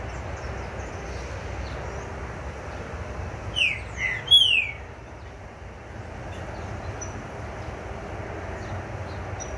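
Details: Green-winged saltator after its moult: a short phrase of three loud, clear whistles, each sliding downward, midway through, over a steady background hiss.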